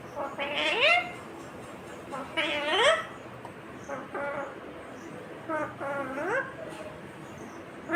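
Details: Speech-like phrases from a talking ringneck green parrot, about four wavering nasal utterances, each climbing in pitch, come with short pauses between them.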